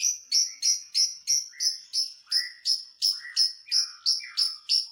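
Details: Lovebird song meant to provoke other lovebirds: a fast, regular chatter of sharp high notes, about three per second, with a lower buzzy note slipping in every few beats.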